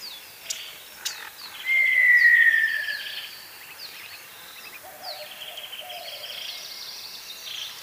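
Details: Montezuma quail uttering one loud, drawn-out descending whistle of about a second and a half, while other birds chirp and trill steadily in the background and a couple of sharp clicks sound just before.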